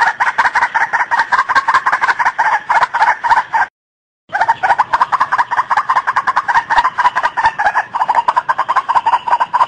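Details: White-breasted waterhen calling in a dense, rapid run of harsh croaking notes with strong harmonics, continuing almost without pause apart from a brief silent break near the middle.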